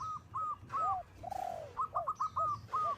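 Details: Local zebra dove calling to a rival, recorded for luring; short arched cooing notes repeated rapidly in bursts, mixed with lower swooping coos, over steady low background noise.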